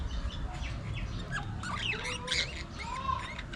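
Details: Pet budgerigars interacting and grooming, softly warbling with wavering, sliding whistles and scratchy notes, a rambling quiet chatter over a steady low hum.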